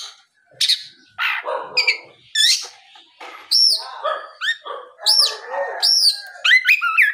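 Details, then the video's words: Oriental magpie-robin singing steadily in the afternoon as a lure to make other magpie-robins respond. Varied phrases of scratchy notes lead into clear looping whistles and sharply rising and falling slurs, growing denser toward the end. "SUARA PIKAT BURUNG KACER GACOR NGEPLONG SORE MEMANCING KACER LAIN SUPAYA LEKAS BUNYI NYAUT & GACOR"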